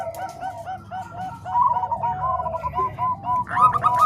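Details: Zebra doves of the Bangkok and Cemani Kolbuntet types, mixed as a training master for other doves: quick repeated coos, soft at first then louder and denser, overlapping voices rolling on without a break.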